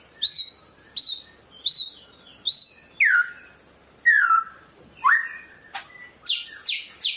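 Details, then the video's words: White-rumped shama of the Medan type singing: four high downslurred whistles evenly spaced, then lower falling slurred notes and a final burst of rasping, descending chips. "SUARA BURUNG MURAI MEDAN SUPER"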